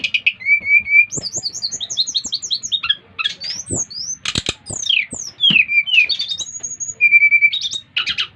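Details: Brown-chested jungle flycatcher from Bali, five months old, recorded in July 2024. It sings loudly to stir other birds into song: a rich run of varied whistled notes, clear slurred and rising phrases, sharp chips and trills, all high-pitched and fast.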